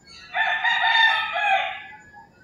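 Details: Rooster crowing in the early morning in rural Philippines: one long, harsh, drawn-out crow that holds steady and then fades over about two seconds, with faint background noise.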